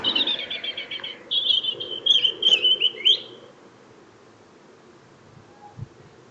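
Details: A small singer's after-work greeting: a high, rapid series of repeated chirps flows into a sustained, slightly wavering warble lasting about three seconds, then fades into quiet background hiss.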